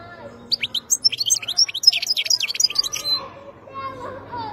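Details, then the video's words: Wild European goldfinch singing: a quick, jangling run of high, thin twittering notes delivered in a dense burst for about three seconds, then a softer pause. Faint low hum underneath. "تغريد مقنين خلوي"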